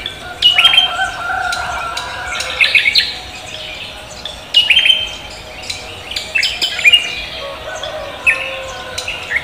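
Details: Javan green magpie singing persistently in the morning: repeated bursts of sharp, squeaky whistles and rasping chatter every two to three seconds, with a low hum throughout.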